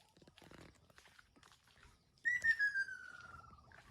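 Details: Ryukyu ruddy kingfisher, locally called hokkaru, calling on Taketomi Island: after a quiet stretch of faint rustling, one long clear whistled note that slides steadily downward with a slight trill, fading out over about a second.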